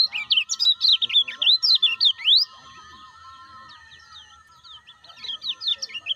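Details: Rapid run of sharp, sweeping high chirps from a lemon-bellied white-eye, played to get caged kecial calling ciak ciak; the chatter stops after about two seconds and resumes briefly near the end, with a low steady hum beneath.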